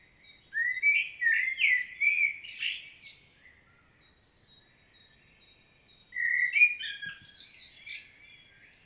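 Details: Common blackbird singing a solo, field-recorded in Świnoujście, Poland, on 25 September 2022: a low fluted warble of several notes ending in a high squeaky twitter, then a pause of about three seconds before a second phrase begins.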